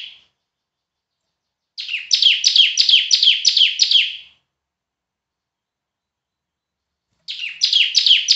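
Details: A long rhythmic series of about eight loud, downslurred chirps from a bar-winged prinia in semi-active song, meant as a tutor recording. A quiet gap follows before another rapid burst begins.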